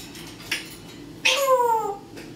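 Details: Pet parrot imitating fireworks noise it hears in November: a sharp burst, then a loud crackle and descending whistle-like whoosh lasting about half a second, with a faint click at the end.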